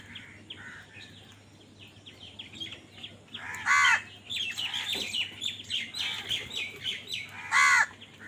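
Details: Crows fighting over food give loud, harsh, stacked caws, two strongest bursts a few seconds apart, amid a busy mix of quicker chirping and squabbling calls from other birds over a steady low hum.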